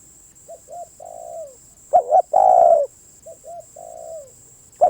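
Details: Spotted dove song alternating soft and loud phrases: quiet paired coos with a descending tail, then a strong double hooked note and long falling coo, the pattern starting again at the end; thin high whine throughout.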